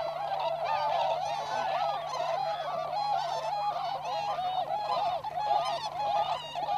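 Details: Tundra swans in the wild at Inzai, Chiba, Japan, where American-subspecies birds mix with the flock; continuous crowded bugling, clear hooting notes rising above a constant babble of many swan voices.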